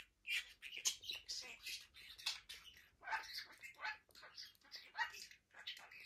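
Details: Male budgerigar kept as a pet, busy with his toys and seemingly having fun, keeps up a dense stream of rasping, squeaky chatter with clicks and short whistled notes, barely pausing.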